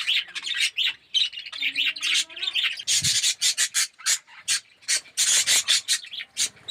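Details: Australian red-eyed budgerigars, yellow birds living as a colony in an aviary, giving scratchy chirps and harsh bursts in an uneven stop-start rhythm, with a low knock or thump near the middle.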